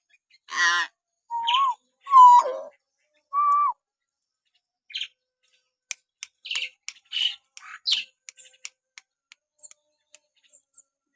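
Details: Common hill myna natural whistles for provoking pet mynas: a harsh squawk, three clear rising-falling whistles, then a series of dry clicks and short chips that fade away.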